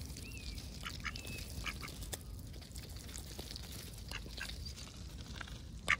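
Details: Active ducks on a dull, overcast day call in clipped, irregular quacks with a couple of thin rising whistles mixed in, over soft low background noise.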